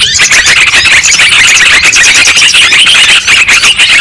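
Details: Noisy chattering of sooty-headed bulbuls, a lure recording meant to draw down wild birds for trapping: a dense, continuous jumble of overlapping bubbly, squeaky notes with no pauses.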